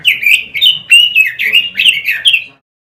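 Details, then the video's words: Robin song recorded to train caged birds: a quick burst of bright, sliding whistles with about nine phrases in two and a half seconds, then silence. "Masteran suara burung ROBIN"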